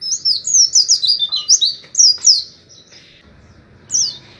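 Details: Oriental white-eye giving 'ngalas' style notes: a fast sequence of high slurred chirps for two seconds, a quiet gap with faint low rumble, then one more chirp.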